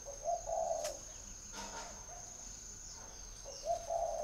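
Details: Spotted dove from a northern Vietnamese bird garden near Hanoi, with a quiet pair of soft coos at the start and another at the end, a click and faint rustling between, over a steady high whine.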